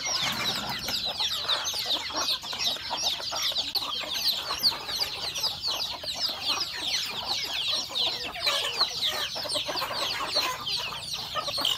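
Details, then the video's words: Many home-raised rural chickens, roosters and hens, eating breakfast; a dense, continuous chorus of high, thin peeping and chirping notes overlapping throughout, with soft clucking and pecking below. "Beautiful sound of chicken eating breakfast, Roosters and Cutest hen"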